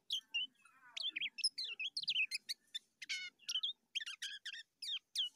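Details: Lemon-bellied white-eye song in the ngejos style, used as a master recording for training birds: high, sharp chirps and twittering notes in short separated bursts, some descending, with a few faint low murmurs beneath.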